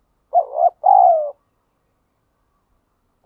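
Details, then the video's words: One full 'thúc gù' phrase from a wild spotted dove: a wavering double coo then a longer, softly falling note, followed by silence and the start of the next phrase at the very end. "chim cu gáy thúc gù bài bản, chim cu gáy đất thúc gù ngoài tự nhiên"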